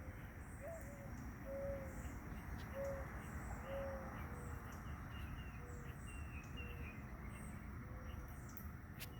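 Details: A dove near a fig tree, in the afternoon, gives soft, low hooting coos, several in the first four seconds and fainter ones after, over a steady low rumble with faint chirps from other birds.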